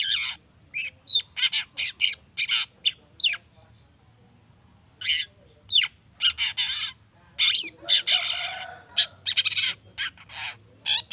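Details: Long-tailed shrike vocalizing to excite other shrikes into replying, a dense chattering stream of rapid harsh chips, squeaks and rasps, broken by a short quiet gap before resuming with scratchy, mimic-like phrases.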